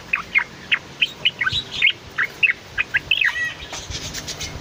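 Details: Cucak loreng, a bulbul, in steady song for use as a master voice or long-duration lure for caged birds: separate sharp whistled chirps and short slurred phrases, loosely spaced, with a faint hiss near the end.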